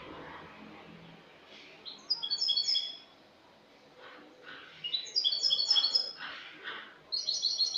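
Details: Cante limpio, the clean song style, from a Spanish goldfinch from last year, dated 22 August 2018: three separate bursts of rapid, silvery, high twittering notes, each lasting about a second, with quiet gaps between.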